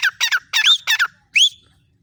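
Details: Female francolin calling with quick harsh squawky notes in pairs, then a single clear upswept whistle, with quiet surroundings.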